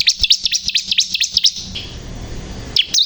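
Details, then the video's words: Bar-winged prinia (ciblek kristal) in full, vigorous song: a rapid run of about eight high, sharp downslurred chirps lasting 1.5 seconds, then a pause with faint low hiss before two more chirps close the clip. "burung ciblek kristal gacor"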